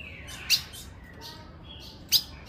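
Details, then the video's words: Calls of a female ultramarine grosbeak, which excite males: two crisp, high, clipped chips about one and a half seconds apart, with faint soft notes between them over steady hiss. "Seu AZULÃO vai ficar LOUCO - Piado de FÊMEA pra FOGUEAR seu azulão."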